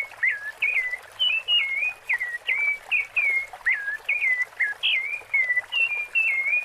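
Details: Melodious breeding-season song of the rufous-bellied thrush, the 'Piedade Senhor' style, heard as clear whistled notes that dip and rise, closely repeated with brief pauses between them, over a low hiss.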